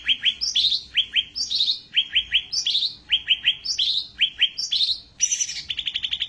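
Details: Ashy tailorbird singing for a songbird training recording: quick pairs of sharp chips followed by rising whistled upslurs, the phrase repeated about every second, ending in a fast rattling trill of even notes.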